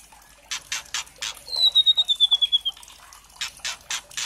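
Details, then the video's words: Lure song of a 'trotol' white-rumped shama (murai batu), meant to provoke other birds into singing: rough, buzzy bursts repeated about three times per second, broken by a high, thin whistled trill that slowly falls in pitch. "MURAI TROTOL CEPET BUNYI GACOR dengan suara pancingan murai trotol agar NGPLONG ini"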